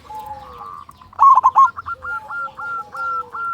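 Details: Local zebra dove with a big voice, used as a lure to get other zebra doves singing: one loud, rapid three-note cooing burst, with softer rolling coos and repeated whistled notes from other birds around it.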